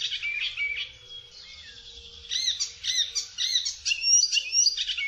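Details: Icterine warbler giving quieter mixed notes that build into loud, rapidly repeated arched chirps and sharp whistles, about two a second, with varied phrasing.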